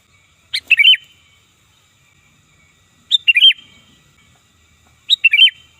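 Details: Lure recording of a sooty-headed bulbul giving three loud slurred phrases, each a sharp opening note followed by quick bubbling syllables, spaced about two and a half seconds apart over a quiet background.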